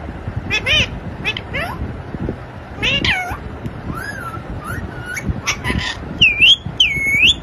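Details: Pet parrot talking, said to say papa and mummy: rapid harmonic speech-like syllables, then clear rising and falling whistled notes, with louder, higher squeaky phrases near the end over faint low background noise.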